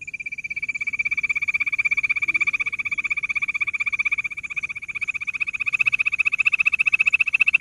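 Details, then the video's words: Bush quail producing an unbroken, rapid, rattling trill of high pulses, about four a second, holding steady pitch and volume for nearly eight seconds. "bush quail sound"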